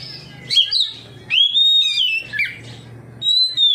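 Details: Oriental magpie-robin responding to another magpie-robin: rich whistled phrases with warbles and long level high notes, arching slightly, in three bursts over low mechanical hum.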